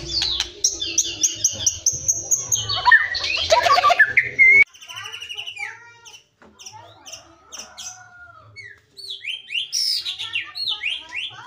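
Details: White-rumped shama in Cilacap giving a varied song: a loud buzzy, whistled outburst with rising slurs, then softer scattered clicks and chips, ending in a bright series of quick descending high notes.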